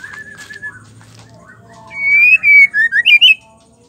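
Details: Oriental magpie-robin female, whose call is meant to stir males into singing: after a quiet stretch with faint whistling, a quick run of sweet, slurred whistles rises and falls in short bursts.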